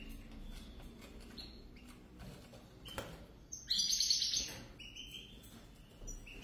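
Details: European goldfinches, a pair; scattered faint chirps, then one loud, rapid, buzzy-tinkling burst lasting about a second, followed by a few quiet notes and low background noise.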